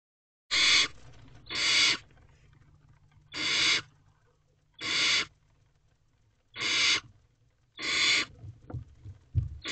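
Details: Wild barn owl owlets in a nest box shortly after midnight on 5 May 2023, one swallowing a mouse while its siblings watch. Harsh, broadband hissing screeches of about half a second come in bursts every one to two seconds, with faint low rumble beneath.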